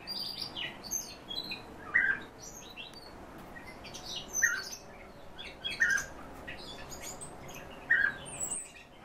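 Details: Captive home-bred European bee-eaters uttering four or five burry calls spread through the recording, amid many thin, high twittering chirps and light rustling.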